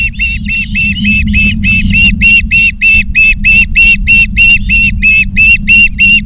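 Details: Loud, evenly spaced piping whistles from Ospreys at a Charlo, Montana nest, afternoon of 19 August 2023, roughly three notes a second, a sustained steady series over soft low rumble.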